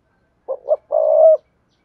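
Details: Decoy spotted dove cooing, a recording meant for speaker playback to make wild doves call quickly; two short low hoots followed by one long, steady, slightly rising coo, clean with no background noise.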